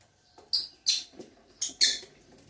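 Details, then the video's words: Pet lovebirds starting their day, giving four loud, shrill, high chirps in two close pairs, each a sharp burst with a faint rustle between them. "Love Birds Starts their days"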